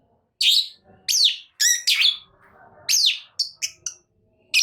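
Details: Agitated long-tailed shrike giving loud, harsh, falling notes separated by short gaps, with a few brief clipped chirps near the end.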